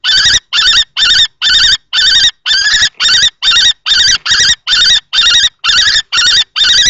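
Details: Nest-box confrontation between two male common kestrels, one young and one adult, at Théding, 20 March 2024. A fast run of rasping, trembling calls repeats evenly, a little more than two each second.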